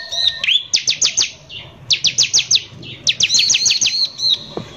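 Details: Ciblek (Bar-winged prinia) singing in a harsh, vigorous style. Three clusters of four to five piercing high downstroked notes, each cluster about a second apart, with slurred whistles mixed in.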